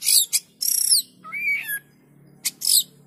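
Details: Short burst of white-rumped shama song intended to set other shamas singing; hissing high notes, a clear rising whistle, then sharp high chips over a faint low hum.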